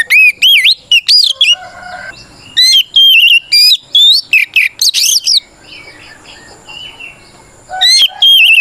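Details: Oriental magpie-robin challenging a rival with clear fighting song, meant to make silent birds answer: rapid sweeping whistles and sharp chirps in dense bursts, a quiet gap, then the loud whistling resumes.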